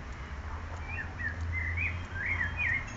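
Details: Singing bird outside: a soft warbled phrase of looping, up-and-down whistled notes, with a steady low rumble of background noise beneath.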